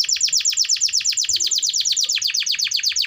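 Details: A continuous rapid trill of high, falling chip notes, about eight per second and very even, from a vigorous canary offered to encourage other canaries to sing.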